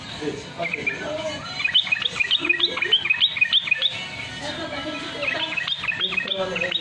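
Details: Sooty-headed Bulbul in rapid ropel style, used as a lure to train caged birds to sing quickly: fast run of short whistled notes rising and falling, with lower warbling and chatter mixed beneath.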